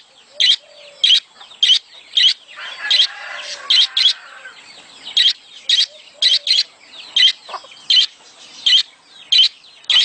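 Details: Budgerigars giving mating sounds played to encourage a female to lay eggs quickly. Loud, bright chirps come in a steady series roughly every half second over a soft, continuous warbling chatter.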